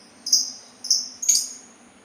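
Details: Sultan tit giving three quick high, slightly buzzy calls in succession, the last one harsher and broader.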